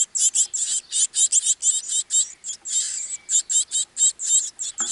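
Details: Great tit at its nest gives a fast, hissing, very high-pitched chatter of short bursts, about four or five a second, with no other sounds.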